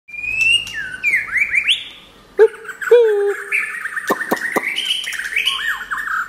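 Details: White-rumped shama song: clear, pure whistled notes sliding up and down, rich fluty phrases mixed with sharp clicks and short rising chirps, with a faint low hum beneath.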